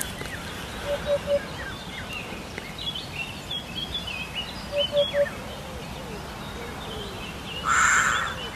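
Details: Hoopoe training recording: two triple bursts of low, hollow hoo-hoo-hoo notes about four seconds apart, among twittering and whistled phrases from other birds, ending with a loud harsh call and steady outdoor noise.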